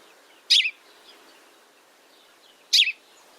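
House Sparrow giving two bright, slightly buzzy chirps about two seconds apart, with a quiet hiss of background noise between them.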